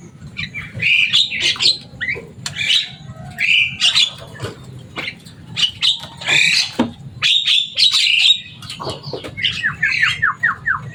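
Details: Loud Javan myna kept as a pet, reputed to copy human speech, delivering a long stream of raspy squawks, chatter and a closing series of short downslurred whistles, with low hum behind.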